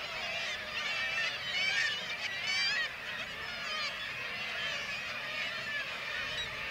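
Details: Kittiwake colony in Varangar, Norway, under attack by white-tailed eagles hunting chicks; loud overlapping wavering cries from many birds, swelling strongly in the first three seconds, then a steady, busy din.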